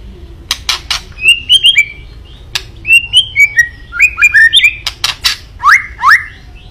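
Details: White-rumped shama delivering kretekan to agitate a rival: loud crackling clicks interleaved with clear, short downslurred whistles repeated in pairs, ending in two sweeping rising whistles, steady and close.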